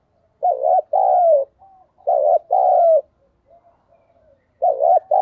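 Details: Spotted dove used as a decoy, calling: three mellow two-part coos, each a brief wavering note and a drawn-out, gently descending note, with soft faint notes in the gaps.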